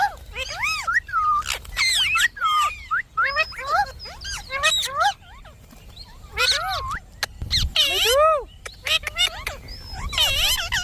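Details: Indian ringneck parakeet, a pet, talking: strongly arched, rising and falling squawky syllables in uneven phrases, with a few hoarse noisy bursts.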